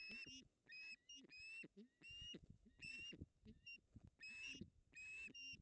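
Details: Male and female Ospreys tugging at a fish on their nest in the Napiwodzko-Ramucka Forest, August 2021. Loud ringing whistled cries in uneven bursts, some slurred downward, with soft low knocks between.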